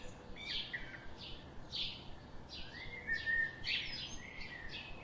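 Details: Rapid, bright chirps repeated several times a second with an interwoven whistled warble, all above a constant soft hiss.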